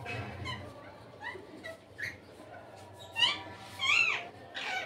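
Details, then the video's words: Indian ringneck parakeet calling while eating guava: a few harsh, harmonic squawks, two louder rising-falling ones near the end, over a low background hum. "Ringneck parrot eating guava Ringneck parrot sound, talking parrot, parrot calling sound"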